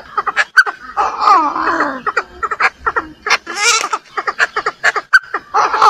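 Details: Female Chinese francolin calling to provoke a male, giving loud, harsh, cackling notes in quick uneven bursts, some drawn into rasping chuckles, with short pauses between phrases.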